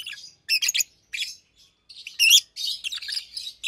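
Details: Two caged Fischer's lovebirds chirping by day; shrill, rasping chirp bursts, one loud squealing note near the middle, then a run of continuous buzzy twittering.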